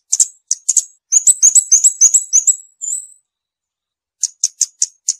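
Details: Scarlet-backed flowerpecker with a few high ticks, then a rapid run of about ten thin, sharp notes ending in a drawn-out buzz, followed by a pause and five evenly spaced high clicks.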